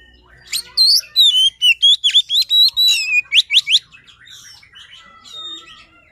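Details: Poci Oriental magpie-robin singing a luring song: a string of loud, crisp whistled notes with steep slurs and buzzy accents, delivered in quick succession before trailing off into faint chatter.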